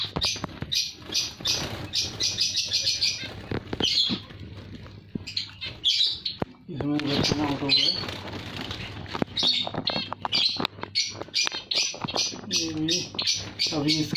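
Many zebra finches chatter together, with nasal beeps, buzzy notes and rapid chirps overlapping.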